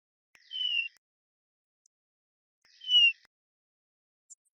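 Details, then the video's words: A Eurasian bullfinch in a large woodland in Wales in July, after the breeding season, gives two soft, low, slightly falling piping calls about two and a half seconds apart against near silence. "And this the soft subtle call of the bullfinch."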